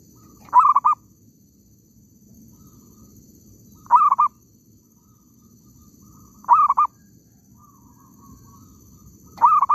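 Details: Repeated call of a zebra dove during trapping in an oil palm plantation: four evenly spaced phrases about three seconds apart, each a sharp rising note then a short burst of rolling coos, with low rumbling background.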